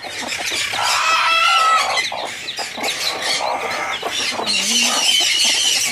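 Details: Three broody Silkie hens sharing one nest and incubating eggs laid at different times cluck and grumble in harsh, overlapping bursts as a helper reaches in for hatched chicks, whose thin high peeps mix in; unhappy conures are loud nearby.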